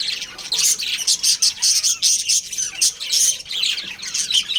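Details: Pet budgies, a breeding pair, trading quick shrill chirps and squawky notes in clustered bursts about every half second.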